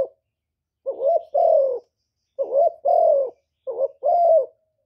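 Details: Spotted dove kept as a lure for wild doves, Cà Mau, repeating three soft two-note coo phrases. A short warbling note leads into a longer mellow coo that sags at the end, with pauses of about a second between phrases.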